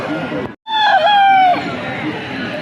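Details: Aseel rooster at a local pet market giving one drawn-out, harmonic-rich crow lasting about a second, steady then dipping at the end, with people talking loudly before and after.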